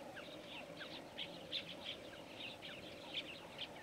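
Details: Namaqua sandgrouse, birds said to fly up to 30 km to soak their feathers with water and carry it back to nests in sand dunes; a busy chorus of short chirpy calls from several birds over a steady low hum.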